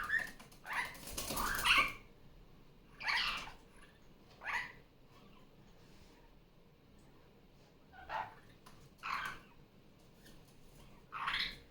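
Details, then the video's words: Female superb parrot kept as a pet, noisy once more after coming off the nest on a Sunday morning. Irregular harsh screeches, some paired, scattered across several seconds with quiet gaps and faint room noise between. "Barraband parakeet sounds. Sunday morning playtime."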